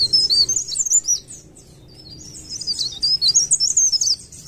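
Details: Cikrak daun, or blerengan, a leaf warbler, delivering a continuous rolling song: dense, high-pitched jumbled twittering and squeaky trills, briefly dropping away mid-phrase before resuming strongly; soft low hum beneath.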